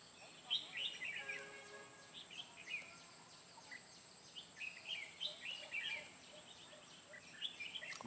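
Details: Red-whiskered bulbul kept as a trapping decoy, singing intensely on 23 June 2018; bursts of short warbled, whistled phrases come in roughly three groups over eight seconds, over steady background hiss and a faint high constant tone.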